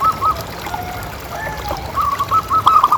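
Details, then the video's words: Zebra dove used to lure other doves into calling: faint coo at the start, then a quick run of short cooing notes toward the end against a steady background hiss. "Suara Paling Ampuh Untuk Pancingan Burung Perkutut Agar Bunyi Terus"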